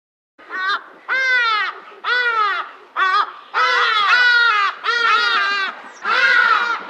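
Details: Hadeda ibis (Bostrychia hagedash) call: loud, harsh, nasal cries about once a second, each a brief braying 'haa' that sags slightly in pitch, with no other sounds.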